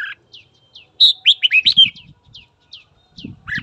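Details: Red-whiskered bulbul singing in the morning to incite fighting: a fast run of loud, looping whistled notes, set among soft downward chirps repeated every half second, with low rustling knocks underneath.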